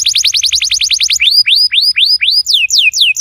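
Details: Canary song meant to prompt a silent canary to sing: a quick run of clipped repeated notes, then slower, bright, upward-then-falling whistled sweeps about four per second.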